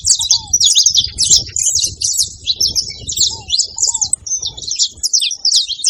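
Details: Group of saffron finches making noise at a feeding place, high chirps tumbling over one another continuously, an occasional low hooked whistle, and a steady low background rumble throughout.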